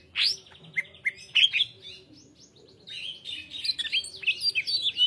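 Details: Greater green leafbird singing loud rising whistles and clipped chirps, a brief lull, then a dense, fast stream of warbled notes.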